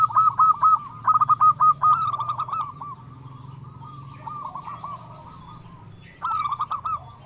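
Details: Local zebra dove song used to coax captive birds into singing: a loud rolling trill of short cooing notes, a quieter softer run after a pause, then another strong burst near the end, over a steady low hum.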